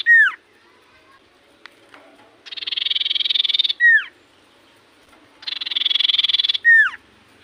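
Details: Loud, energetic song of a common iora: a clear falling whistle, then twice over a long buzzy trill of rapid pulses, each ending in the same down-slurred whistle.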